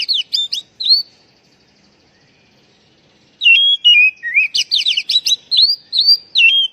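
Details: Oriental magpie-robin lure call for stressed, untrained kacer. Quick high notes open, then after a pause comes a long, lively run of rising whistles and rapid chattering trills.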